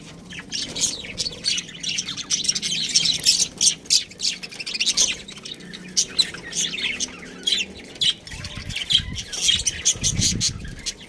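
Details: Pet budgie keeping up a long run of high chirps, squawky notes and chattering twitters, with soft low thumps near the end.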